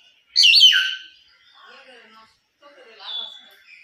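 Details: A talking pet hill myna gives a loud, harsh, swooping cry, then softer, speech-like murmurs ending in a clear whistled note.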